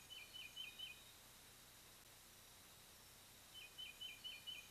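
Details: Bald eagle pair back at their lakeside loblolly pine nest in Kisatchie National Forest, Louisiana, on 3-10-23 while the fledged eaglets are away: two bursts of rapid, high, squeaky piping notes, separated by a quiet gap, over soft steady background hiss.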